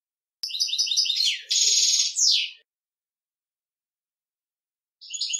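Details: Male European goldfinch singing to instruct a young goldfinch: rapid tinkling twitter, then a harsh buzzy stretch and a falling slurred note, pause, and the twitter resuming.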